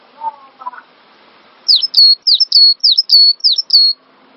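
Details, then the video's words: Training master of cinereous tit song: faint low chattering sounds at first, then a clear phrase of about seven repeated high whistled notes, each a quick drop into a steady tone. "Master Burung Gelatik Batu Full Ngisi"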